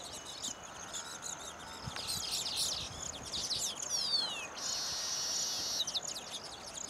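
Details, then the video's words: Baya weavers courting females after building nests: scratchy chattering notes build up, a clear downward-slurred whistle follows, then a long, even, hissing buzz ends the phrase. "Baya Weavers sing and dance after building their nests"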